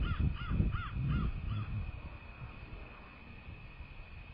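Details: American bald eagles at their nest, from a live nest cam, 06.02.2024 at 18:20; a run of five piping, arched notes over under two seconds, then fading into steady low wind rumble.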